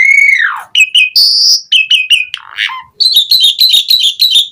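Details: Asian pied starling lure song to make other starlings reply: a long falling whistle, clipped chirps, a high buzzy note, a descending slur, then a quick chain of repeated squeaky notes.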